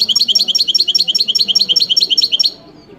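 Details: European goldfinch song: a fast, even run of about fourteen bright, high, repeated twittering notes over two and a half seconds, then stopping, over a faint low background hum.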